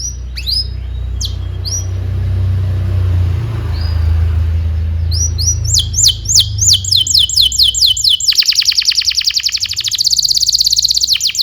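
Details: Vigorous domestic canary song played as a master recording to teach young canaries to sing; after several seconds of low rumbling background with a few scattered high notes, rapid repeated downslurred whistles build into a fast buzzy trill.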